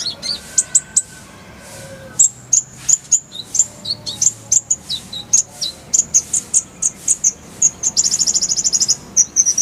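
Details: Kolibri ninja song recorded as masteran material: varied high chips, slurred whistles and twittering notes in quick succession, ending in a dense rapid buzzy trill, then more single chirps.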